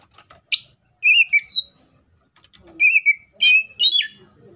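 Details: Short song phrases from an Oriental magpie-robin in the wild: a crisp high chip, then slurred whistles falling and rising, in brief bursts with quiet between.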